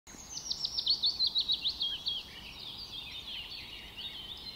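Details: Young painted bunting giving a quick high warbled phrase of rapid, thin notes that pulse about eight times, then trail off into a softer, jumbled twitter, with steady background noise.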